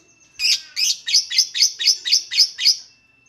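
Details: Lovebird chatter intended to provoke lovebirds into singing: eight or nine loud, harsh, high-pitched chirps in a fast, fairly even series, roughly four per second.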